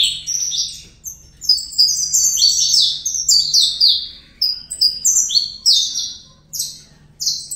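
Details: Young captive-bred saffron finch singing in the Brazilian fibra style: dense, rapid phrases of high, sharp, descending chirps and slurred notes, delivered in bursts separated by brief pauses, with a faint low hum underneath.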